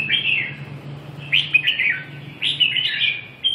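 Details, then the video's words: Red-whiskered bulbul from Vietnam singing short, lively whistled phrases with slurred, bubbling notes in two or three bursts, over a low continuous hum. "Nghe an sieu che -Kênh về chim Chào mào"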